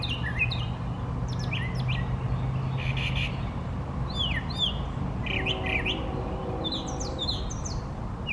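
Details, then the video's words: Male brown thrasher singing at length while moving among three trees: bright, varied phrases of sweeping downslurred and rising notes, some buzzy, following one another with short gaps, with a low droning hum underneath. "Brown Thrasher singing beautifully"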